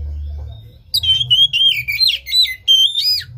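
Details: Oriental magpie-robin song serving as a stimulus for a lazy caged bird; after a quiet start, loud, fast phrases of ringing whistles, rising and falling slurs and sharp chips follow in quick succession over a faint low hum.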